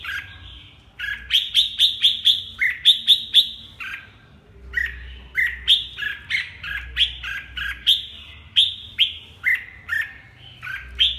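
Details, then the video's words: Huế red-whiskered bulbul in full song: rapid series of bright, bubbling whistled notes, grouped in runs of about five, repeated steadily for several seconds against a soft low-pitched hum. "Rét ... Huế tê giác, hầu bò, siêng cánh, xoè mềm"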